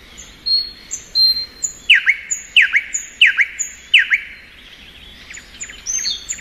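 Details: Thrush nightingale singing in spring: high whistled notes, then four loud sharp downward-slurred strokes about half a second apart, ending in softer high twittering.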